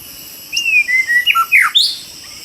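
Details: White-rumped shama singing in the wild during trapping in Indonesia: a short phrase of clear whistles, a level note falling in steps, then sharp downward slurs and a rising upslurred whistle, with faint insect hiss behind.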